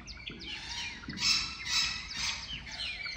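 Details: At Zoo Berlin, Java sparrows give a busy stream of high, sharp chirps and twittering notes, with louder bursts about every half second, over a faint background hiss.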